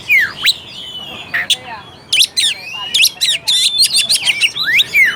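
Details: Oriental magpie-robin (kacer) song played as a lure to provoke a lazy, quiet bird into singing and fighting spirit: varied rich whistles, rising and falling slurs and sharp clicking notes in quick irregular bursts, high-pitched, with faint background hiss.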